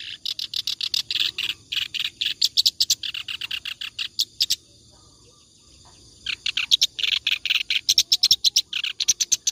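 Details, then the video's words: Clamorous reed warbler in continuous ngacor song, suitable for tutoring other songbirds: long runs of rapid, harsh, chattering notes, interrupted by a quiet gap of nearly two seconds before the chatter resumes. "BURUNG KERAK BASI NGACOR COCOK BUAT MASTERAN"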